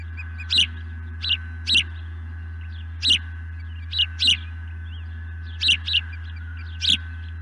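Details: Osprey calling overhead, probably a male performing a sky dance, heard from a nest camera on an April 2020 evening just before the nesting pair was attacked: short, high chirped notes in pairs and small groups over steady electrical hum.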